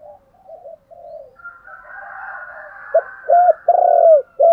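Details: Decoy spotted dove calls to excite wild doves into answering: soft low coos and a faint higher drawn tone, then a loud closing phrase of four deep, curved coos.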